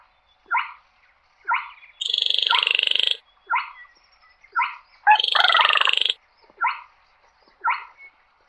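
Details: Calling the flock, a slaty-breasted rail gives clipped chevron-shaped notes roughly once a second, broken by two loud buzzy rattling bursts lasting about a second each; the background is silent.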